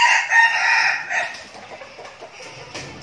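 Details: Captive decoy red junglefowl, Bình Phước, Vietnam: a single short, strident crow opening the recording, fading into soft clucks and rustling.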